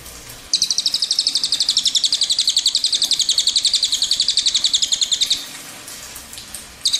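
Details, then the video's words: Cililin giving a long rolling song: a fast, even trill of high sharp notes, about four per second, running unbroken for nearly five seconds before stopping, then starting again at the very end. "Suara Burung Cililin Gacor"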